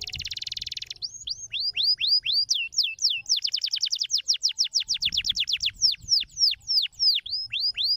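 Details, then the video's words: Canary song meant to stimulate other canaries to sing: opens with a fast buzzy trill, then long series of clear, ringing upslurred whistles repeated several times per second, slowing and quickening in turns, over soft low background noise. "Dominar canários som cristalino especial"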